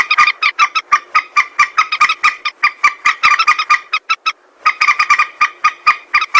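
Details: Steady, rapid chatter of harsh moorhen croaks, used to lure birds when hunting, with one short pause near the end.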